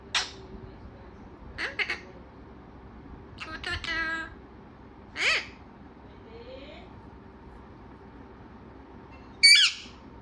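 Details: A talkative parrot strings together short clipped calls and a chattering, buzzy phrase, then a soft rising whistle and a final loud squawk.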